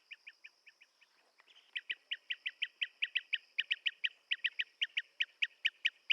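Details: A few soft, spaced chirps, a brief pause, then a Blue-tailed bee-eater's louder, steady run of sharp repeated notes, about four per second, with a faint continuous hum in the background.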